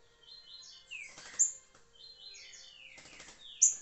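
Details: Green-winged saltator singing the liso curricutil song style, recorded 26 July 2023: two bright warbled phrases of quick whistled notes, each ending in a downward slur, with a sharp high click after each phrase and a man speaking Portuguese.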